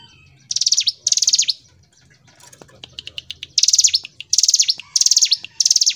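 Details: Hill prinia with high buzzing trill bursts; a mid-section of softer, scattered chirps before the trills resume in a regular series.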